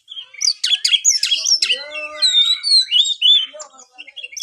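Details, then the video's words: Oriental magpie-robin song, for urging a lazy caged bird: harsh chattering bursts, then lower nasal notes mixed with long clear whistles and varied twittering phrases. "buat burung Kacer anda yang malas bunyi"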